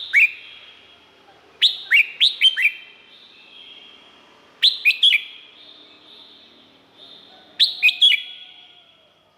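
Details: Red-whiskered bulbul from Thailand, used as a tutor or to excite birds: three loud phrases, each of four or five quick liquid upward-sweeping whistles, spaced about three seconds apart in a clean, quiet setting.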